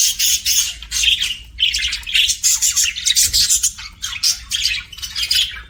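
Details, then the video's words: Pet budgerigars chirping happily, a steady run of loud, raspy warbled chatter in short pulsing bursts with barely a pause. "BUDGIE HAPPY SOUNDS"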